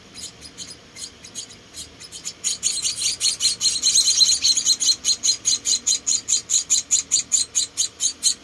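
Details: Four tiny rescued munia chicks being fed: soft scattered chirps swell after two seconds into loud, rapid, regular high begging calls, about two and a half per second.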